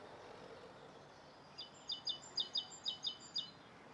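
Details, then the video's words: Rose-coloured Starling calling in Bishopston, Bristol, on a November morning in 2014; after a quiet start, a string of about eight sharp, high chirps follows in quick succession against background noise. "Rose coloured Starling"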